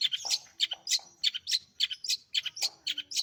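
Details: Pet long-tailed shrike in energetic song, giving quick bright chirps about four per second in an uneven, rapid series, each note high and clipped.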